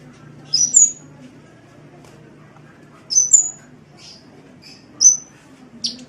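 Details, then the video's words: Sunbird masteran from Indonesia: paired high, sharp, downslurred whistles repeated about every two seconds, each pair followed by softer thin notes, over a quiet background. "Masteran Suara Kolibri"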